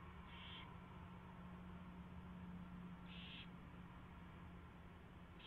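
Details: Owl nest before dawn, 4:21 AM on 24 February 2016, during mouse delivery and feeding; short scratchy high calls spaced roughly three seconds apart above a continuous low drone.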